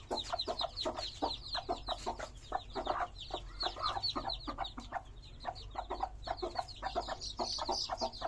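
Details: Many colourful hen chicks cheep at once, producing sharp downslurred peeps that crowd together in a restless, unbroken chorus with a soft low rumble underneath.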